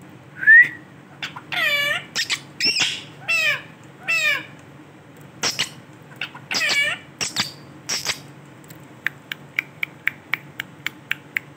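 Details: Male Ringneck parrot giving a series of loud, harmonic, arching calls, several swooping downward, in short bursts over about eight seconds, followed by a run of sharp, evenly spaced clicks.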